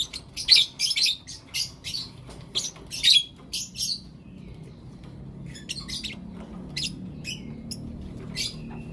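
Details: Lovebirds, blue opaline and lutino opaline pets, calling in the morning: a burst of loud, grating high chirps roughly every few tenths of a second for four seconds, then sparse softer chirps over low room noise.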